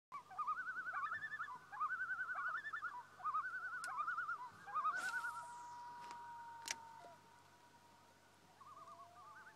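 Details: Common loons at dusk on Baby Lake: bursts of rapid, wavering, quavering tremolo notes repeated several times. They are followed by a long, steady, level wail that fades, then a short return of the tremolo.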